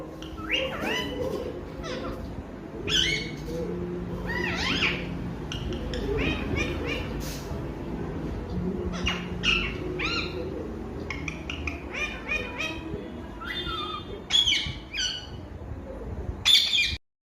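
A parrot chatters nonstop in harsh squawks, sharp chirps and rapid whistled notes.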